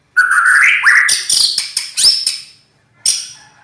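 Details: Loud, rough-voiced white-rumped shama (murai batu), named a champion, sings a rising buzzy warble into a volley of sharp, high, clipped notes and one last harsh burst after a pause.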